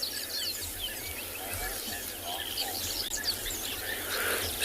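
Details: Rattling Cisticolas at Tswalu Kalahari Reserve, South Africa, on a 29 January sunrise drive give harsh, rasping notes, not their normal song, in scratchy bursts repeated unevenly from several birds, over a low rumble of background noise.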